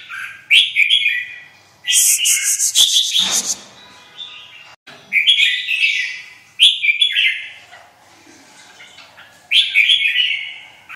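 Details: Red-whiskered bulbul with white wing feathers giving bright warbled phrases between gaps, with a harsh loud rustling noise early on.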